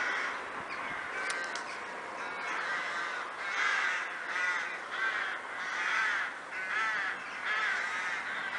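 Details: Numerous crows calling together in Kloosterbos forest, Vaals, a crow wood; hoarse, rasping caws overlap in irregular surges about once a second, with a single sharp click near the start.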